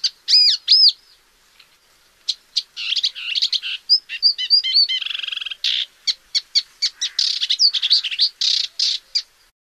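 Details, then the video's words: A paddyfield warbler (Acrocephalus agricola) gives a fast, varied song of scratchy chatters and buzzes mixed with clear whistled notes, pouring out almost without pause in a high register. "Paddyfield Warbler"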